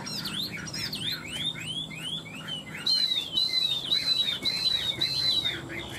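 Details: Caged Chinese hwamei in fighting song, two tame birds kept three years: quick arched chirps in a steady run, then a high level whistle repeated about twice a second.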